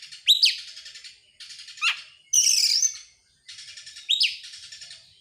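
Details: An excited oriental magpie-robin sings in the ngobra style with its tail opened: rasping trill bursts open with sharp upslurred whistles, and a piercing high whistled phrase stands out in the middle.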